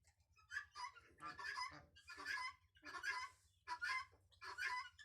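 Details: Goose goslings calling: harsh, noisy honking bursts repeated roughly every second, some longer and broken, with a low hum underneath.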